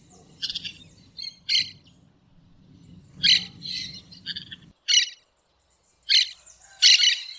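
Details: Wild green parakeets calling in nature: a string of short, sharp, rasping squawks, about eight in seven seconds, some doubled, over a faint low rumble that stops partway through.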